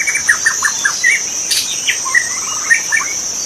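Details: Forest-dwelling wild magpie-robin with a string of bright whistled and warbled notes and short descending slurs, repeated in quick bursts. A loud continuous insect drone runs high above throughout.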